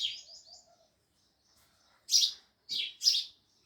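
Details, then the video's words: Sparrows chirping loudly: soft twittering notes at the start, then after a pause three loud, harsh, high chirps in quick succession. "Sparrows Loud Chirping Sounds"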